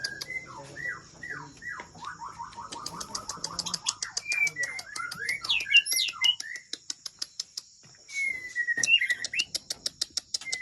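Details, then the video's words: Aceh white-rumped shama, Kandang, Ladong, Aceh Besar, Indonesia: slurred whistles, then a fast even series of clipped repeated notes, scattered high chips and sharp clicks, ending in a long drawn whistle with chattering notes. "Murai Aceh"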